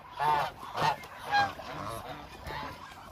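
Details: Hungry flock of about 1000 Muscovy ducks: three loud harmonic honking calls rise over a steady background murmur of other birds calling.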